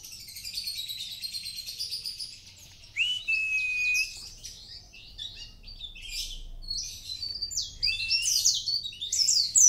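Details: Mountain white-eye from Kintamani singing 'gacor', with faint high warbles at first, then a sustained whistled note, then increasingly loud, jumbled high twitters and chirps.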